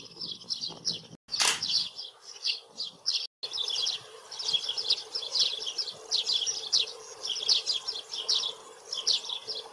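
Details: Eurasian tree sparrow (Passer montanus) calling in a near-continuous run of sharp, high chirps, with a loud brief rushing burst near the start and a couple of abrupt silent breaks.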